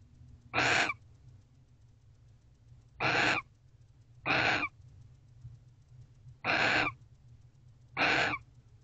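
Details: Five rasping, breathy screeches from a barn owl at its nest box in the early morning of 29 November 2023, after mating, each short burst separated by uneven gaps of one to two and a half seconds.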